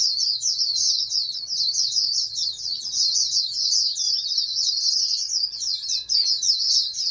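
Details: Captive-bred oriental white-eye, raised to compete nationally, singing an unbroken high, fast, warbling twitter lasting throughout without pause, over a faint low hum.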